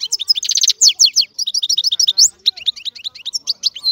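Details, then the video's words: European goldfinch singing a fast, lively song of bright twittering notes, buzzy trills and quick tinkling chirps running almost without pause in high, varied phrases. "الحسون - هذا الطائر يغني. بأجمل صوت موجود في البرية"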